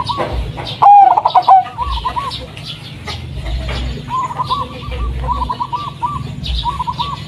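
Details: Blorok Madu zebra dove, a striped local type with a mellow, bass voice, played as a lure for caged doves: a short, loud throbbing coo phrase, then softer rolling coos from other doves in the background.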